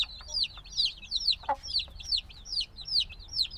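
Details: Black chicks a few days out of the egg, recorded binaurally: loud, clear, high peeps repeated about two or three times a second, each a sharp down-curving whistle, with one lower tap midway.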